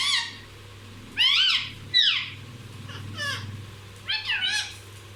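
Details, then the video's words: Pet parrot described as speaking everything, uttering a string of quick, strained, harmonic calls in clusters, some doubled, with a low rumbling hum and murmur beneath. "ये तोता सब कुछ बोलता है! Non stop bolne wala tota!!"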